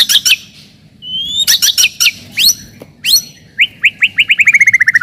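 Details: White-rumped shama song meant to provoke rivals and test young birds: a rich burst of varied loud whistles and sharp rising notes, ending in a fast run of about a dozen quick descending chirps.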